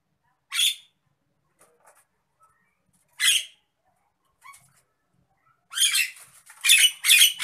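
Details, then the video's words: Harsh, raspy shrieks from an agitated Nias hill myna: two single squawks a few seconds apart, faint clicks between, then a rapid run of three loud grating calls. "MASTERAN BURUNG JALAK NIAS NGAMUK"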